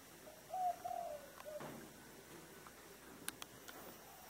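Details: Dove cooing in the thổ đồng voice style, recorded at a home: two short, low, hollow coo notes in the first second, then quiet with a few faint clicks and knocks.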